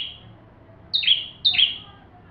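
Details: Bar-winged prinia, recorded as training song for white-rumped shamas: after a quiet start, two high, sharp chirps half a second apart, each sweeping quickly downward, over faint low noise.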